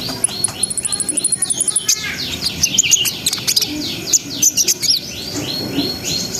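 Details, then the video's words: Brown-throated sunbird in continuous full song meant to raise breeding arousal; a fast, even trill of very high ticks opens, then strings of descending slurred whistles and sharp squeaks follow in quick succession. "SUARA KONIN GACOR NGRIWIK NGEROL SAMBUNG NEMBAK !! COCOK BUAT NAIKNA BIRAHI BAHAN"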